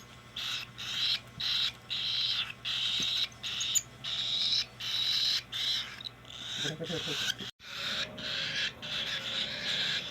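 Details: Cockatiel being hand fed, giving rasping begging notes in regular bursts that merge into a longer continuous wheeze; a brief clatter midway and a low hum in the background.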